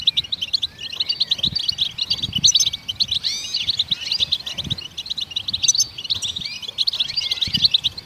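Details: Song of goldfinches, given to stimulate other songbirds: sustained rapid twittering mixed with slurred, swooping whistles and buzzy notes, scarcely pausing, over faint low knocks.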